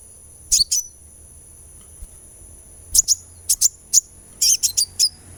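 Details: Sunbird chirping as a therapy sound to make a bird sing: a double chirp, a pause, then a run of sharp, very high notes in quick bursts, ending in a rapid cluster of four, with a continuous faint high tone underneath.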